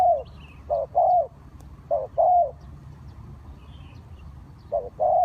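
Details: Spotted dove used to lure wild birds into a trap, giving paired low coos, a brief note then a longer falling coo, in phrases separated by pauses of a second or more, with faint distant bird chirps.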